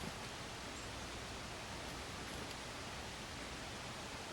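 Even, broadband rushing hiss like running water or rain carries on without a break, with no animal calls audible above it.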